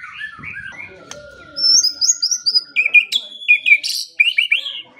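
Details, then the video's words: Training song of a white-rumped shama for morning and evening: a long flat whistle under quick slurred notes, then a lively string of high, sharp, repeated whistled phrases. "Pancingan dan Masteran Pagi dan Sore Hari Murai Pendiam Langsung Ikut Bongkar Isian | shama bird"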